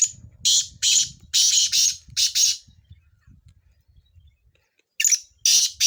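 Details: Black francolin from Sindh calling during chakree training. Grating, noisy notes repeat about twice a second in a rhythmic series, pause for roughly two seconds, then resume. A low rumbling background runs underneath throughout.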